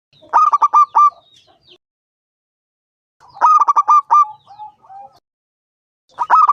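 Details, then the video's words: Local zebra dove, five years old, singing loudly to encourage other doves to perform: three phrases of fast pulsed coos, each finishing with a longer tone and soft trailing notes. "Perkutut lokal gacor suara besar"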